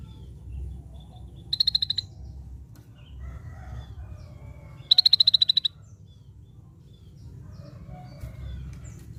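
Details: Scaly-breasted bulbul song: two short bursts of rapid, high, evenly pitched piping notes about three seconds apart, each burst roughly half a second long, over a low steady background hum.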